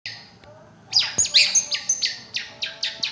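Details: Long-tailed shrike singing: after a quiet start, a burst of bright, high warbled and whistled notes, then a run of short, sharp downward chirps repeated about three times a second, with a faint low hum beneath.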